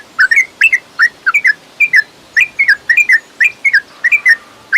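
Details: Yellow-vented bulbul lure song for caged birds, long fighting style meant to rouse them: bubbly whistled two- and three-note phrases, slurred up and down, repeated about twice a second over quiet background.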